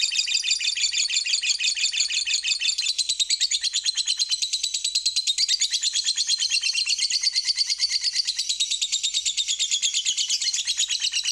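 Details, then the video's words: Lovebird on a lure recording meant to make birds sing: a long, unbroken, rapid high chattering trill, pulsing steadily throughout. "Garansi burung pasti gacor setelah denger ini"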